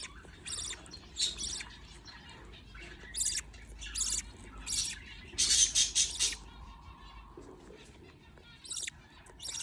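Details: Budgerigar chicks being fed by a parent make scattered harsh squawks and scratchy chirps, sparse at first, then a louder, longer rasping burst midway, with quieter stretches between.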